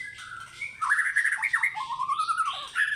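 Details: White-rumped shama, a caged bird, singing in fighter style: rich fluting whistles sliding up and down, a warbled run of quick notes, then a long falling whistle and a final rising phrase.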